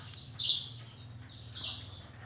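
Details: Singing canaries and black-throated canaries in a morning aviary round: one loud high buzzy chirp phrase followed by a second softer burst, over a low humming background.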